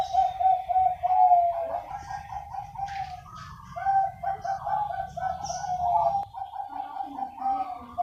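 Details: Several Bangkok-type zebra doves calling back and forth together: overlapping soft mid-pitched cooing phrases made of quick stuttered notes, one bird's steady coo answered by others, with faint low rumbling in the background.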